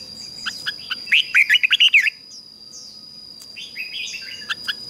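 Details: Singing to lure wild birds, a decoy red-whiskered bulbul delivers one rich phrase of about eight quick warbling notes, rising and falling, followed by quieter high twittering calls, with a persistent thin high-pitched tone behind.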